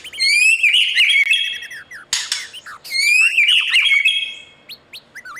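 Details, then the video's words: Caged white-rumped shama singing in the morning, being trained to sing for competition: loud rising whistled phrases sliding upward into rich warbles, two phrases split by a harsh broadband rasp, with faint high ticking notes at the end. "Chòe lửa hót sáng luyện giọng cho bổi hót đấu căng lửa , chòe lửa luyện giọng"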